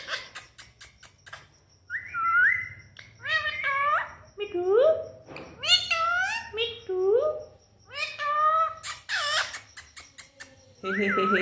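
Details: Pet parrot talking with its owner indoors: a series of squawky, wavering spoken-like syllables and whistled rising-falling notes, with human speech and laughter around it.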